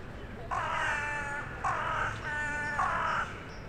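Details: Crow living in the centre of town, calling on a January evening as others fly in to roost: four drawn-out harsh nasal caws, each about half a second, in quick succession over low urban rumble.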